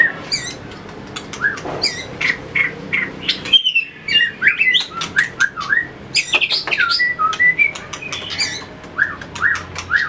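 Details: Trained competition-singing white-rumped shama, tail flicking as it runs the perch, pours out rapid, varied whistles and slurred notes, with many crisp ticking clicks throughout and a brief pause midway.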